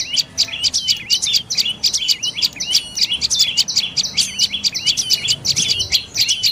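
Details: Shrill, rhythmic chirping of a dark-necked tailorbird: groups of sharp high notes and brief slurred whistles follow one another steadily, with soft low background noise.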